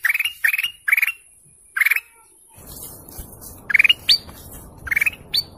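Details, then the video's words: Golden canary birdsong with a series of loud, buzzy, pulsed notes rising in pitch, delivered in quick groups, some ending in a high upward flick, over a soft steady hiss. "GOLDEN CANARY BIRDSONG"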